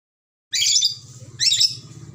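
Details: Two grating, shrill squawks from a red lory from Ambon, the first longer, the second shorter, over a low background hum.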